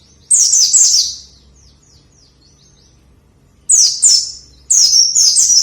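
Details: White-eye singing as training material for lazy singers: a fast, shrill twittering burst, a long quiet gap, then two further rapid high chattering phrases of descending slurred notes near the end.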